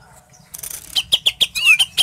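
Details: Greater green leafbird singing, played to put another bird in breeding mood before a contest: a rustling start, then loud clipped notes repeated about every sixth of a second with one slurred whistle.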